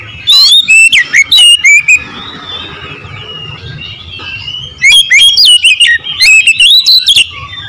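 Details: Oriental magpie-robin delivering two energetic bursts of song, rapid whistles and clipped notes rising and falling, separated by a quieter gap with soft background calls.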